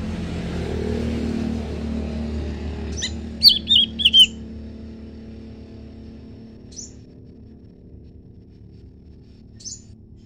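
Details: Leafbird singing in answer to a scarlet minivet: a quick burst of high, thin, downslurred whistles run together over about a second, then two lone short high notes spaced a few seconds apart, over a low steady rumble.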